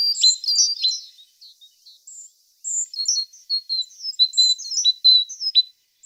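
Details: Tit song made of lively, high chirping phrases, pure whistles mixed with quick downward-slurred notes, delivered in bursts separated by brief pauses.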